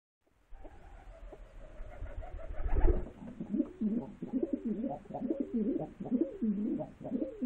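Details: Pigeons indoors give a steady stream of deep, burbling coos that rise and dip in quick rolling waves, loud and close, after some muffled handling noise at the start.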